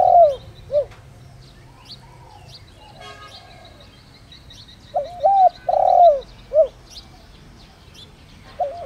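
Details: Decoy spotted dove in the deep 'đồng rặc' voice, calling to provoke wild doves. A phrase ends, a quiet pause with faint high chirps from other birds follows, then one full rolling coo phrase and the start of another.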